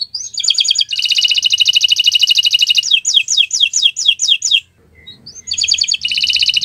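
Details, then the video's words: Friday-morning canary song with varied melodies: a long rapid buzzy trill, a burst of quick falling whistles, a brief pause with faint background noise, then the trill resumes. "Gacoran Burung Kenari di Jumat pagi"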